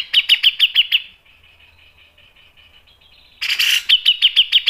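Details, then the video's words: Grey-cheeked bulbul singing in a loud, high chattering style locally called mbeset, ngepik and nembak: a burst of rapid sharp repeated notes, a softer thin trilling stretch, then another quick series of bright chips. "MASTERAN CUCAK JENGGOT GACOR MBESET NGEPIK dan NEMBAK tajam | PANCINGAN CUCAK JENGGOT"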